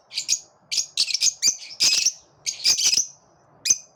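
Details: Several lovebirds singing together with lively enthusiasm: harsh, high, buzzy chirps and chattering bursts in short overlapping phrases with brief pauses between them.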